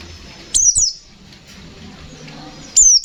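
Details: A brief pair of thin, high downslurred notes from a white-eye (pleci), then another sharp descending note after a short silence; ngalas nembak style.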